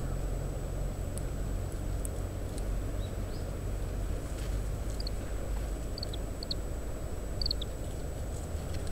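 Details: Oriental greenfinch feeding on seeds of opened Japanese stewartia fruits, husking each seed, captured by parabolic microphone; short high chirps in small pairs and clusters in the second half, set against loud, steady wind roar.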